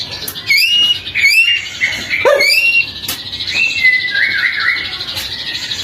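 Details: White-rumped shama singing on a lure recording for morning and evening. Clear whistled phrases swoop upward, separated by sharp high chips, and end in a falling, liquid flourish.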